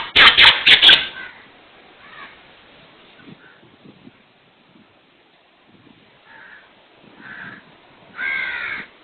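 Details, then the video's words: A Black Francolin (kala teeter), said to be saying "subkhan teri qudrat", opens with a burst of loud, harsh, grating notes, then after a quiet stretch with faint scraps of sound ends with a hoarse, harmonic phrase. "Black Francolin ||kala teeter|| Saying ||subkhan teri qutrat||"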